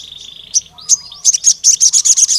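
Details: Wild crimson sunbird, a lively singer calling a rival male: thin high chip notes, then a fast run of sharp, evenly spaced high ticks building toward the end, over a faint lower whistle.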